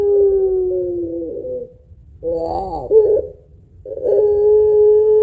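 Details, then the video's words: Spotted dove (puter pelung) singing long, thick coos used to stimulate other birds: a long steady coo, then a short wavering rising-and-falling phrase, then another long even coo after a brief pause. "Burung Puter Pelung Gacor Suara Panjang Kuwok Tebal Cocok Buat Pancingan"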